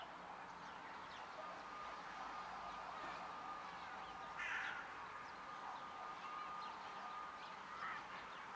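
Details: Hooded crow giving one short, harsh, hoarse caw about halfway through, over a constant background hum and a steady thin tone, with faint high chirps from small birds scattered behind.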